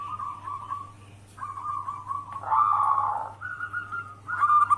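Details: Local zebra dove song played as a lure to draw other doves: drawn-out level coos, a louder wavering burry phrase midway, then short higher coos, quieter and softer, over a steady low hum.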